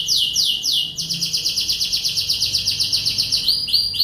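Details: English Lancashire canary singing as a master for young birds: a few strong descending swoops open into a long, fast, even rolling trill with evenly pulsed notes, ending in short bright rising whistles.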